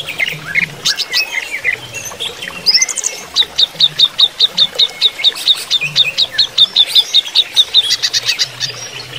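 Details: Greater green leafbird (cucak ijo) during running-water therapy: a mix of varied notes gives way to a long, steady series of sharp, high, clipped notes, about three per second.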